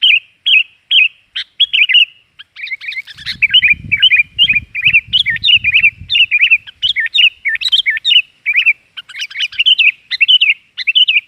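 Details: Sooty-headed bulbul lure recording, lively and busy: an almost continuous stream of chirps and rolling slurred notes, several per second, with a patch of low rumbling noise near the start.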